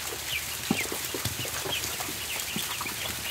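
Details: Young ducklings on the barn floor while being fed, a few clear high peeps standing out over a continuous bed of pecking, scratching and shuffling.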